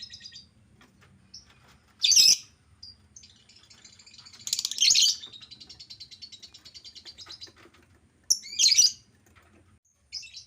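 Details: Albino lovebird uttering three loud harsh screechy bursts a few seconds apart, with soft rapid ticking chatter between them over a low hum.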